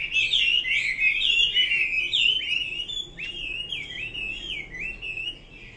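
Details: Loud, fluid whistled song of a Chinese hwamei, a continuous chain of swooping, wavering notes delivered rapidly and growing slightly softer toward the end.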